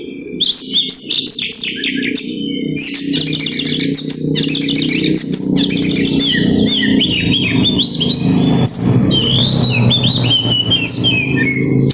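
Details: Oriental magpie-robin in extended grabakan song bringing out isian phrases: long streams of rapid chattering notes, sliding whistles and buzzy trills, over a constant low droning hum and background noise.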